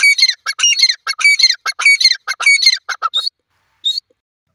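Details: Grey francolin, locally called teetar, calling loudly: harsh, ringing harmonic notes repeated rapidly in a quick series of about two per second, ending with two separate higher squeaky notes after a brief pause.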